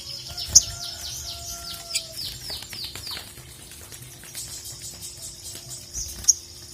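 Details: Ruby-cheeked sunbird, known locally as sogon or sogok ontong, singing energetically to call a rival: a fast series of high, thin down-slurred whistles, then a pause and a buzzy high trill, with a steady low hum behind.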